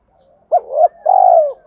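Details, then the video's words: Spotted dove calling to hens and provoking a fight, used as a decoy recording: one short two-part phrase of a brief hooting note, then a longer, fuller, slightly falling coo, in quiet surroundings. "tiếng chim cu gáy gọi hai hậu dùng kích bổi, kèm thúc đấu"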